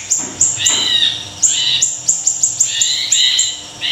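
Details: Small siri-siri in full, active song: high, thin whistled notes with sharp falling chirps, packed into quick bursts that repeat several times a second, with softer buzzy trills underneath.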